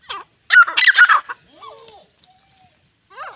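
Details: Grey francolin (Dakhani teetar) giving a loud, harsh burst of rapid, grating notes lasting under a second, then softer, lower slurred notes and a brief, fainter harsh phrase at the end.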